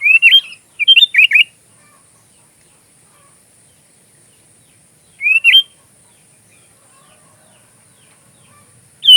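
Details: Sooty-headed bulbul song, used as filler material for training magpie robins: a quick burst of several rising and falling whistled notes, long silence, then a single rising-falling whistle and a final short note.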